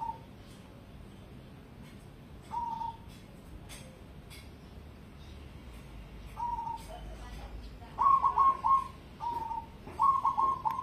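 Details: Cemani zebra dove of competition standard: several isolated soft low coos at first, then two fuller phrases of rapid stuttered notes ending in a held coo, with light clicking and a quiet background hum.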